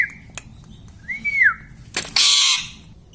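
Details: Talking pet parrot: a soft flat whistle, then a brighter arched whistled note, followed by a sharp click and a loud, harsh, hissing squawk.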